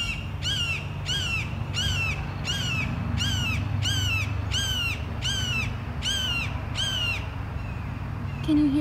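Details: Hawks call back and forth: about ten sharp, high, down-slurred screams, one every second or so, in a children's garden over a steady low rumble of water splashing off rocks.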